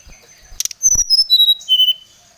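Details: Oriental magpie-robin lure song meant to call out a rival, agitated: a few scratchy clicks, then five or six pure whistled notes dropping in steps from very high to mid pitch, fast and evenly spaced.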